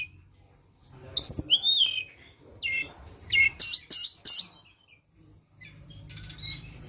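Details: Flowerpecker song used as a lure: a rising-falling chirp, then a fast run of four or five bright, very high buzzy pulses, followed by quiet and faint low rumble.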